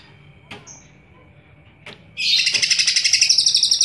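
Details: Loud-voiced green leafbird (cucak ijo) in full energetic song, nodding its head; two brief clicks precede a piercing, rhythmically pulsed high chattering trill that starts abruptly and keeps a regular beat of about four pulses a second.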